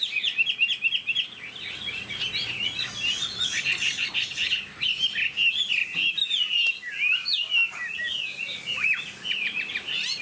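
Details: Tame caged Chinese hwamei singing energetically, a long, varied stream of bright whistles, rapid chattering runs and quick upslurred notes lasting about ten seconds.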